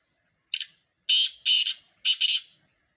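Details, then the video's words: Four Sindhi black francolins in a calling competition: one clean sequence of a short note trailing a high whistle, then three loud, grating, scratchy bursts, the last doubled, in an otherwise quiet setting. "4 سندھی کالے تیتر مقابلہ"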